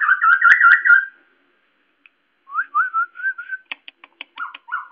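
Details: White-crested laughingthrush, noisy and loud, with many sound types from scolding to song-like phrases. A rich whistled burst is followed by a pause, then a string of rising whistled notes mixed with sharp clicks and knocks.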